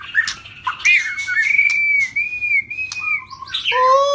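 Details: Rít thuốc lào singing from a shrimp-tail white-rumped shama: a few sharp notes lead into a long, slightly wavering whistle, a lower held note, then an abrupt rich nasal call at the end; faint background hum.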